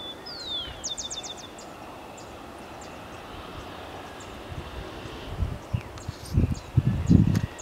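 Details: A male rufous-collared sparrow singing in a backyard in Cotacachi, Ecuador, 2018, at dusk, possibly signalling his mate to go to roost: one slurred falling whistle, then a quick high trill; low rumble and wind thumps follow.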